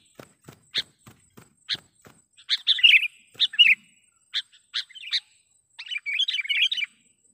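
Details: Sooty-headed bulbul lure call used to trap wild bulbuls: a series of dry, spaced clicks, then short bursts of bubbly chattering notes separated by pauses, ending in a brief lively phrase.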